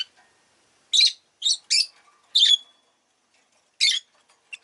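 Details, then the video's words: Pet rosy-faced lovebirds, several calling fairly often that day, give four harsh, high chirps in quick succession, one ending in a thin drawn-out whistle, then a pause and another scratchy chirp. "Lovebird Chirping Sounds"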